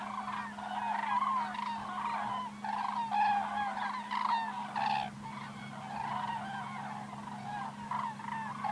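A flock of cranes calling in flight, many loud rolling trumpeting calls overlapping without pause, over a steady low hum.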